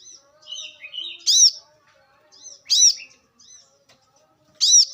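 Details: Wild brown-throated sunbird singing: soft high chirps and short whistled notes, then loud harsh, sharply arched notes about every one and a half seconds.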